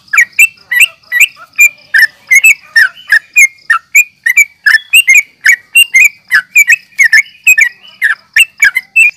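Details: Fighting yellow-vented bulbul, used as a lure to provoke other bulbuls into answering: a rapid, insistent chatter of bright, slurred chirps, about three a second, keeping a steady pace.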